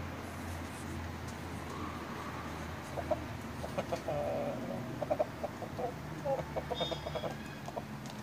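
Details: Brahma chickens, black and blue mottled roosters and young hens, give short soft clucks in scattered bursts over a steady low hum, with a brief higher squawk near the end.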